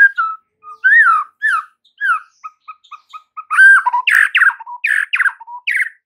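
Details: Master song of a white-rumped shama meant to make mute caged shamas sing: a varied run of slurred whistles, short repeated clipped notes, then louder harsh buzzy phrases mixed with pure whistles.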